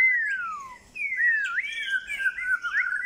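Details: Melodious whistling from a white-rumped shama, with a falling slide, a short pause, then a flowing, warbled string of looping up-and-down whistled notes.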